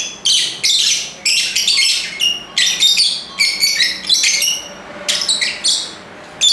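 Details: Lovebird chattering: rapid strings of sharp, scratchy chirps and squeals, closely packed and uneven, with one brief lull before a last loud shriek.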